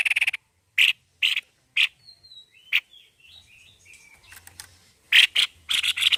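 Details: White-necked babbler singing very actively: loud, harsh, broadband notes in short bursts, about two per second at first, then faint thin whistles and squeaky notes in the middle, and a fast run of harsh bursts at the end.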